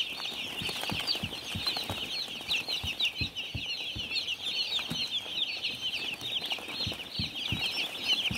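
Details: Many baby chicks on a farm, a dense chorus of high, thin peeps, short rising and falling chirps overlapping without pause, with scattered soft low taps underneath.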